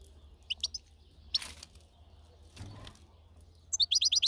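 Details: European goldfinch outdoors in nature: a few sharp high chirps early on, then a quick run of rapid twittering notes at the end, with a low steady hum beneath.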